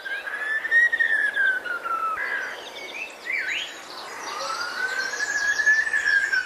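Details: Common blackbird in an English town, no longer singing normally, imitates an ambulance siren: long wailing tones sliding slowly up and down, broken by a few short whistled and twisting notes; it also mimics a mobile ringtone.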